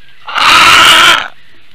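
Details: A female Eurasian bittern in Latvia, at 9:25 AM on 7 May 2022, responds to an unidentified aerial threat with a single harsh, rasping squawk, loud and grating for nearly a second, against a faint steady background hiss.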